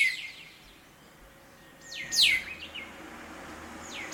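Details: Birds singing around sunrise in a large black locust tree beside a house in town: high, fast downward-sweeping whistled notes in bursts, one loud descending phrase near the middle, with steady faint background hum.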